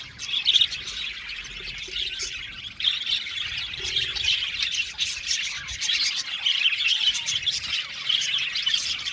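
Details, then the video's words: An aviary colony of budgies, Australian parrots, keeps up a dense, continuous twittering chatter of many birds, with short squawks breaking through the steady high warble. "Beautiful budgies singing sound | budgies chirping sound"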